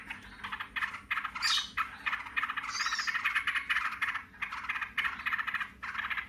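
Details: Yellow-vented bulbuls chattering noisily in answer to one another: dense, harsh trills in uneven bursts, broken by two high, rising squeals.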